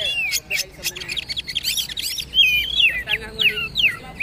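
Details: Trotol-style song of a kacer/poci magpie-robin, meant as training audio for other birds: fast chattering notes leading into clear, looping whistled slurs repeated in quick succession.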